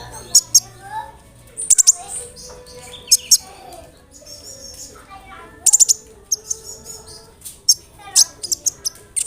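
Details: An olive-backed sunbird sings as a lure for other sunbirds: clusters of very high, stabbing chirps mixed with thin, wavering twitters, in irregular bursts.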